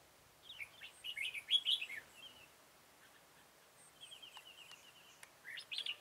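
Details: Red-whiskered bulbul singing its full song while being trapped with a decoy, 13 October 2018; a loud run of bubbly warbled notes, then a steady rapid trill and a closing chirpy phrase.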